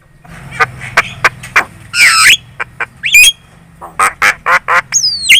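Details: Javan myna lure song, loud and talkative, used to make other birds answer: ragged harsh chatter, a broad raspy burst, sharp upswept whistles, more scratchy notes, and a long descending whistle to close, over a low hum.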